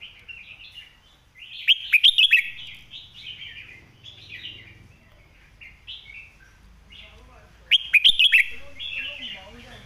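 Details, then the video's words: Red-whiskered bulbul singing a master phrase for tutoring birds: two bursts of rapid bright whistled notes about six seconds apart, linked by softer warbling phrases, with low rumbling in the background. "คมชัดลึก"ดอกสวยๆ สำนวนแม่บท/ไว้สอนนก"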